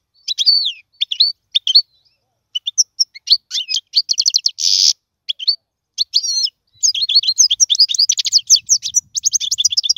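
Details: European goldfinch song for teaching young birds: bright twittering phrases of chirps and trills broken by short silences, a brief harsh buzzy note midway, then a long continuous fast rattling twitter to the end.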